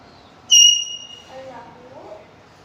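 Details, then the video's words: A pet Indian ringneck (Kashmiri ringneck) talking parrot mimics a Snapchat streak notification, one sharp pure electronic-sounding tone, then soft, low, speech-like murmurs. "Talking parrot playing and making sound of snap streaks"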